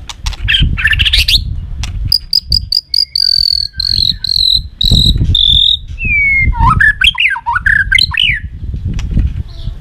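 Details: White-rumped shama singing a fighting song for training: clicks and a burst of buzzy notes, then a steady series of high repeated whistles, then warbled swooping phrases, over thumping low background noise.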